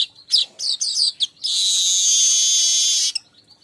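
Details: Weaver lure song meant for weavers kept together in a group: a few quick, loud chirps, then a long, harsh, buzzy sizzle held for about one and a half seconds before fading into soft twittering.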